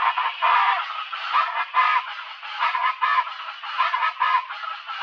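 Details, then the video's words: Chaco chachalacas (Ortalis canicollis) give loud, harsh, raucous calls in an overlapping chorus, with rasping notes repeating in pulses about every second. "CHACO CHACHALACA sounds"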